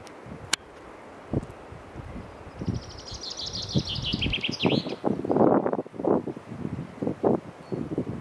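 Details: Common chaffinch in a forest giving one bright song phrase: a run of quick notes falling in pitch, ending in a short flourish, over rustling and low thumping noise.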